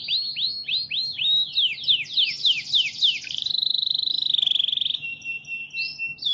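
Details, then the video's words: Canary song used for training other birds to sing: a series of rapid downward-sweeping whistled notes, then a fast buzzy trill held at one pitch, ending in brief high chirps; faint low hum underneath. "burung kenari ( canaries )"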